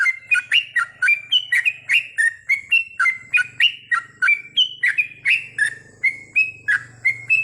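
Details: At night a yellow-vented bulbul (trucukan) sings in a recording meant to train kept birds toward long goklik phrases: rapid strings of clear whistled notes, many with a quick upward twist, delivered about three per second with no pause and faint low hum behind.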